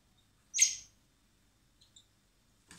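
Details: Young common blackbirds being hand-fed in spring at a wildlife recovery centre before release; one high, scratchy begging squeal, a couple of faint ticks, then a rough burst at the very end.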